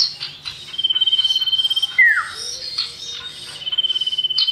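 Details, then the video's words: Common iora pair, male and female, singing as a lure recording: fast metallic trills broken by one clear downward-slurred whistle and a softer low whistle beneath, the trill resuming at the end. "Pancingan burung cipow dijamin cepat gacor // Cipoh Jantan & Betina Sirtu Jantan 100% Nyaut"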